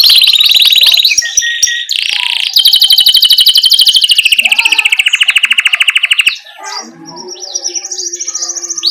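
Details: Lively canary rolling song for tutoring young birds; varied warbled notes give way to a long, very fast, steady trill, ending in scattered softer twitters.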